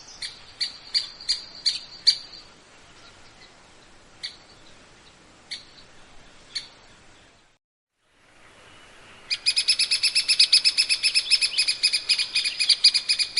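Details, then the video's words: Grey-capped pygmy woodpecker gives a run of spaced high ticks. After a brief silent break comes a loud, rapid, rattling trill of sharp high notes, about four per second, that carries on for several seconds. "Yungipicus canicapillus"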